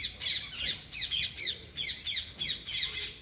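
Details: Parrots calling loudly, sharp descending chirps in quick succession, around three per second, with no other clear sounds.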